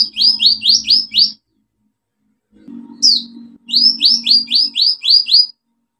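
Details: Olive-backed sunbird fill-in song, used as a lure for silent birds: rhythmic series of about six sharp downslurred notes per second, a pause with one swooping call, then the series repeats over a low hum.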